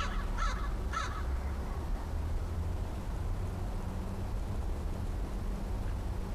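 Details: Crow visitor, the last of the year, sounding cautious on October 13, 2013: a couple of coarse caws near the start, then only low steady background hum.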